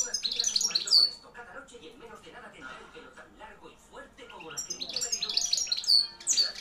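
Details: Hand-reared wild-type European goldfinch, a young 2013 bird kept caged, singing loudly: bright twittering, buzzy high phrases in a burst at the start and again near the end, with a softer, murmuring stretch between.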